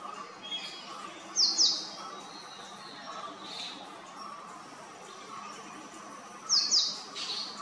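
Male purple sunbird giving two brief bursts of high, sharp double notes about five seconds apart, over soft background hiss and faint distant chirps.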